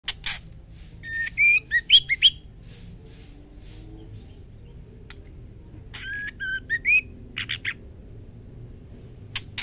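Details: Female White-rumped shama calling the male: two short bursts of clear whistled notes, each ending in a rising slur, separated by a pause, over a steady low hum.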